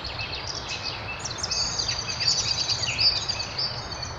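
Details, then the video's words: Birds singing in a spring city park in Kyiv's Dorohozhychi area: several overlapping high twittering and whistled songs, with thin rising notes and chirps in a dense chorus, over steady low city hum. "Красивое пение птиц в весеннем парке"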